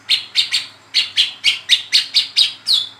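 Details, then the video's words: Young spotted Brown-throated sunbird chattering in the 'ngeriwik' style, a lure for attracting and tutoring sunbirds. A rapid, even run of about ten sharp high chips, the last note stretched into a thin falling whistle. "SUARA WICEH TROTOL NGERIWIK GACOR, PANCINGAN KOLIBRI KELAPA TROTOL"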